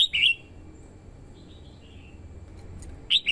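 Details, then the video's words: Red-whiskered bulbul female kept as a lure, calling to excite males and draw in wild birds: a sharp, bright whistled phrase, then quiet twittering notes, then another loud whistled burst. "TIẾNG CHIM CHÀO MÀO YẾU LỬA HÓT KÍCH BỔI MỞ MỎ HÓT SỔ CĂNG LỬA"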